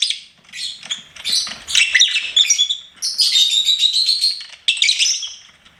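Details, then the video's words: Pet lovebird in full chatter: rapid, grating high chirps and a drawn-out squeaky whistle in the middle, broken by brief silences. "LOVEBIRD SINGING & CHIRPING SOUNDS"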